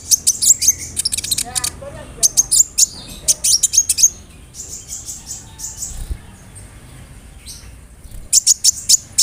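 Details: Sunbird (konin) lure singing with rolls and mimicked cricket and sparrow phrases, meant to provoke singing; fast high-pitched clicking bursts, a brief lower warbled run, a quieter middle stretch, then renewed rapid ticks.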